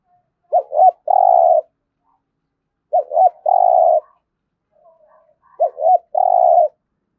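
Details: Spotted dove repeating its 'thúc gù' coo for daily decoy training: a pair of short, rising-and-falling hoots, then a sustained flat coo, given three times at roughly two-and-a-half-second intervals, with a faint soft murmur once between phrases.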